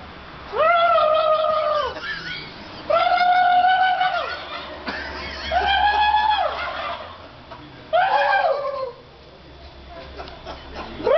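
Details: Real turkeys answering people who try to gobble. Four long, tonal, harmonic notes, each about a second long, spaced every two to three seconds, with a rougher broken call near the end.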